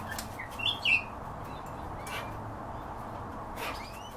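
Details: European bee-eater giving two short, burry, rolling calls close together early on, then faint distant chirps over a steady background hiss.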